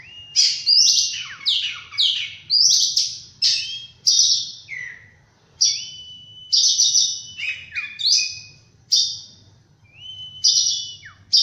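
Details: Oriental magpie-robin singing in the morning: high, sharp phrases, each a clear whistle that slides into a buzzy burst. They repeat about once every second with short pauses between them.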